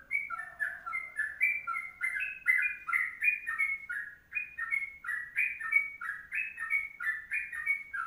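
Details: Fast, continuous 'ropelan panjang' song from a Sooty-headed bulbul in the 'kongslet' style, rapid liquid whistles climbing and dropping, with faint low rumble beneath.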